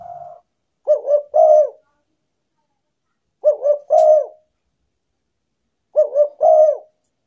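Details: Repeated spotted dove coos played as a lure for wild doves, each phrase two short looping notes and a fuller closing coo, heard three times roughly every two and a half seconds.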